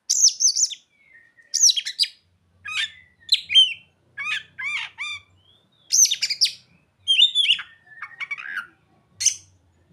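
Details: Oriental magpie-robin singing with mimicry of ciblek and sogon: loud, rapid, varied phrases of sweeping whistles and clipped chirps, delivered in separate bursts about a second apart, with a few thin drawn-out notes between them.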